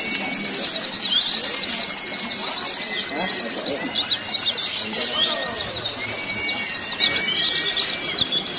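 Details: White-eye song for contest training: a fast, rapid run of high buzzy trilled notes, then looser chirping phrases with thin sliding whistles beneath.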